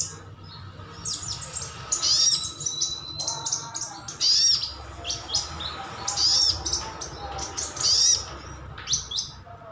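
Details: Crimson sunbird (sogon, sogok ontong) in wild-style 'ngalas' calling, used to prompt other birds to respond; rapid bursts of very high, thin chirps and sharp tweets, clustered in short bouts about every two seconds over faint background hiss.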